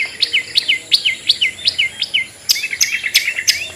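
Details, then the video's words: Long-tailed shrike, ngetet style, used to stimulate sluggish birds to sing: a steady series of sharp downslurred notes, nearly three per second, then a brighter, more jumbled phrase. "SUARA CENDET NGETET‼️Pancingan Ampuh Untuk Burung Cendet Lelet Bunyi"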